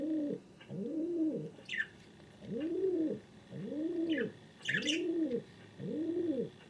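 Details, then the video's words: A pet king pigeon indoors, barely able to fly and apparently looking for another pigeon, gives six low, hollow, swelling-then-fading coos, sounds it never made before; brief high chirps from a small bird come between them. "SOUND OF A KING PIGEON"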